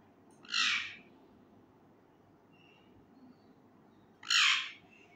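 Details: Young male Indian ringneck parakeet, a caged pet learning to talk, gives two loud harsh squawks about four seconds apart, each lasting about half a second, with quiet room hum between.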